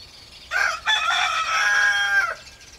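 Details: Young rooster, one of two small cocks crowing a challenge in a busy chicken yard: one hoarse, drawn-out crow lasting about two seconds, a short first syllable then a long harmonic-rich note fading at the end.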